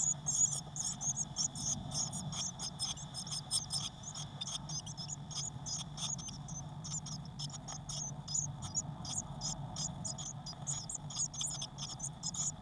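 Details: Eurasian blue tit chicks, six of them, packed into a nest box on 22 May 2019 with some wing flapping; a long, continuous stream of tiny high squeaks keeps up throughout over a constant low drone.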